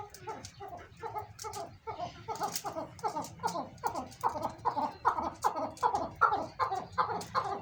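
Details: Captive chukar partridges, a large breeding pair kept on a farm, performing what is called 'chakor masti': a steady run of rough, clucking chuk notes, about two and a half per second, growing louder toward the end.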